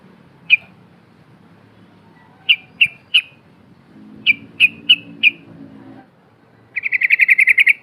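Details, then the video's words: Yellow-vented bulbul, a lively singer flapping its wings, used to lure silent bulbuls into singing: scattered sharp chip notes in ones and threes, then a rapid rattling run of bright bubbling notes. "TRUCUK BISU AUTO BUNYI ‼️TRUCUK GACOR GARUDA NGEPAK NGIKLUK"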